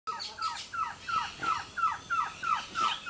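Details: A male Green-backed trogon (Trogon viridis) calls in the morning at the Orinoco Delta, Venezuela: a steady series of soft, downslurred cow notes, about three per second, with a faint high insect hum behind.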